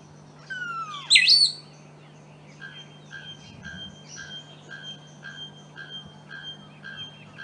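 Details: A cinnamon-vented piha at PETAR, São Paulo, Brazil, on 30 October 2008 gives a loud, ringing whistle sweeping sharply upward once, then soft chirping notes about every half second over a steady low hum.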